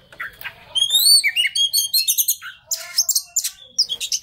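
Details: Oriental magpie-robin song used as a lure to provoke a stressed bird into singing: rising whistled notes, quick varied chirps and harsh buzzy bursts in a rapid, irregular jumble.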